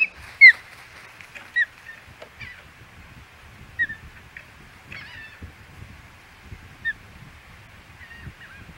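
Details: Scattered sharp, slurred whistles from an osprey at the Hog Island nest, 25 May 2021, loudest at the start, then thinner notes every second or two amid soft rustling and knocks.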